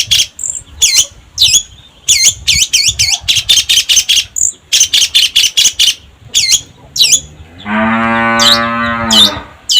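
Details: Long-tailed shrike song used as a lure track to set caged birds singing: rapid runs of sharp, high downslurred chattering notes repeated in bursts, broken by pauses, then a brief lower, harsh, drawn-out nasal note before the chatter resumes.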